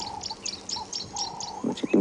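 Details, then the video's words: Several Tawny-flanked Prinias in a feeding party give quick, high, scratchy chips, several a second, on an April morning safari drive; a steady lower whistle-like tone and a few soft thumps sound beneath. "you can hear a few of those prinias in there. Now,"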